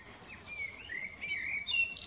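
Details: Evening song of a common blackbird: a smooth fluty whistle that rises and falls, ending in a sharp high twittered flourish, over faint background noise.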